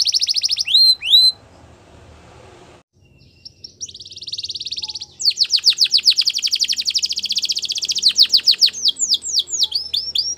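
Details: Bright Belgian canary training song: quick high notes, a short silence, then a rolling trill that turns into rapid chopped rising notes, repeated several times a second.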